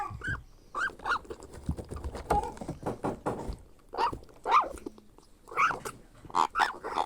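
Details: Grey parrot chick being fed by hand mixes hoarse wavering begging squawks with clattering and tapping from the feeding, cries coming in clusters.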